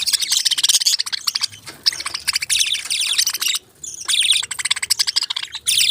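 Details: Budgerigars twitter busily in rapid bursts of high, scratchy warbling notes, broken by a short silent gap before more chattering follows.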